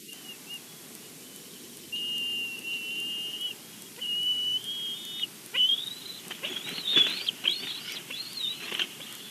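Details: Bald eagle at its nest in Big Bear, filmed by a live nest cam as it brings a game bird to the nest: thin, high whistled notes held steady, then a burst of sharp descending chirps and chatter.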